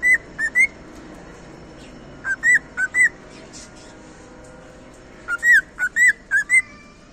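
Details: Whistled cockatiel song in two bursts of about five bright, slurred notes each, rising and falling phrases spaced closely, separated by a quiet gap of roughly two seconds against faint background noise.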